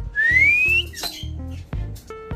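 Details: Indian ringneck parrot kept as a pet, eating guava: a pure whistle sliding steadily upward, followed by scattered clicks, short tonal notes and a low buzzing hum indoors.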